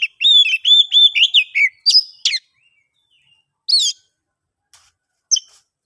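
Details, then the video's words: Oriental magpie-robin (kacer) singing in the clear, loud ngeplong style, used as a lure to set silent birds singing. About ten quick, bright whistled notes run together for two and a half seconds, then a few isolated sharp notes separated by silence. "KICAUAN ASLI KACER NGEPLONG"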